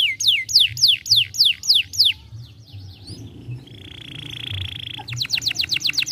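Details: Young canary song for stimulating other canaries: a rhythmic run of descending whistled sweeps, a quiet pause, a steady buzzing tone, then a fresh fast series of sharp notes.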